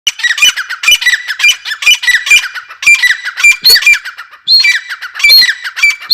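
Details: Grey francolin (teetar) calling: harsh, squawky notes in quick, uneven bursts that run almost without pause, with some shriller rising notes in the second half.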